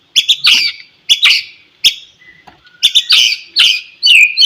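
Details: Morning white-rumped shama, recorded to stimulate other shamas to sing: repeated harsh, rasping notes in short groups, with faint whistles between them and a brief clear whistle at the end.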